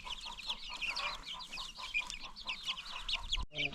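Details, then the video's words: A crowd of baby chicks on a free-range chicken farm peeps in quick, high, rhythmic chirps, with a faint low murmur below and a brief cut near the end. "new baby chicks"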